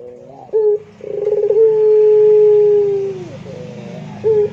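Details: A Barbary dove of the pelung type gives a brief opening note and then a long, level, drawn-out coo that trails downward. A low rumbling noise runs underneath throughout.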